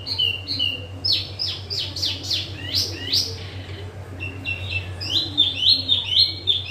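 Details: Yellow-vented bulbul kept as a cage bird, singing rapid chattering phrases of sharp downslurred notes and brief whistles, pausing mid-clip before resuming in quick repeated notes; low hum throughout.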